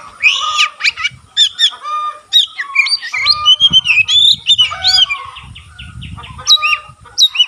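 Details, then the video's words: White-rumped shama in full voice, tail spreading, pouring out a rapid medley of sharp whistles, chattering notes and slurred upward sweeps with hardly a pause, backed by faint low thumping. "burung kacer gacor buka ekor sekali bunyi langsung bisa merangsang kacerlain gacor"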